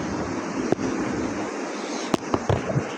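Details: Gusting wind roars steadily outdoors, broken by a few sharp knocks and thumps, with no animal voice heard.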